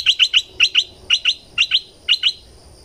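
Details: Thick-billed flowerpecker decoy sound from southern Thailand: sharp, high, clicking chips given in tight pairs or triplets, about four groups in under three seconds, over a soft background hiss.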